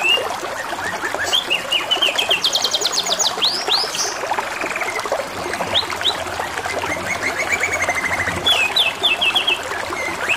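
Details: Canary song set against trickling water: bursts of rapid trilled notes, swooping whistles and buzzy rolls run on with brief gaps, while the water keeps up a continuous splashing hiss.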